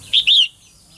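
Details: A female songbird calls to rouse males to sing. One sharp two-part chirp: a brief high note, then a longer arched whistle. The call ends abruptly, followed by near silence.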